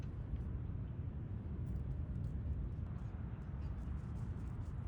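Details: Steady low rumble of traffic and wind at Ocean Beach dunes in San Francisco, with no animal calls heard.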